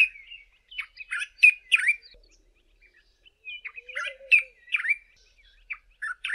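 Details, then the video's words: A male Dark-capped Bulbul sings from the top of a bush in the early morning: two bursts of far-carrying, bright, bubbly, liquid chirps and quick slurred whistles, a brief pause between; a faint lower note once behind. "DARK-CAPPED BULBUL'S early morning song"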